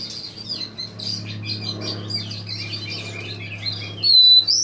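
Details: Oriental magpie-robin singing, dated 5-2015: a busy stream of varied high chirps and short warbled notes, ending in a loud, clear, drawn-out whistle with upslurred tones over a steady low hum.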